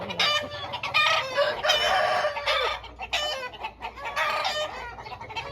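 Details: Aseel rooster flock kept at home, giving loud, rough, overlapping crows in repeated bursts of roughly a second, one drawn-out falling note near the middle, with constant clucking from other birds underneath.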